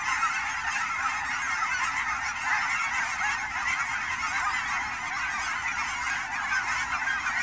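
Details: Large gathering of Canada geese on fall migration at Fern Hill Wildlife area ponds, Forest Grove, Oregon, Pacific Northwest; steady wall of overlapping honking from numerous geese, slightly louder in bursts, with no other clear sounds.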